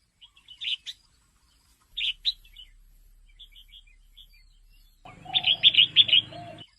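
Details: Female red-whiskered bulbul calling, used to stimulate males into lively activity: short bright chirped notes in scattered pairs, then a quick run of five or six loud clipped notes over a low buzzy hum near the end.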